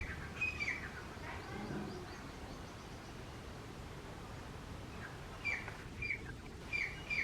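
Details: Male and female grey francolin calling loudly together: a few sharp, high squeaky notes at the start, a quiet stretch of steady background noise, then a closing run of loud, clipped, repeated notes in quick succession.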